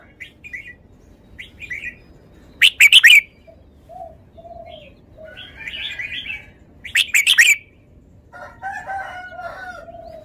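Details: Red-whiskered bulbul singing: short bright chirps and warbled phrases around mid-high pitch, broken by two loud sharp bursts of rapid clicks or flutters, with quiet pauses between phrases.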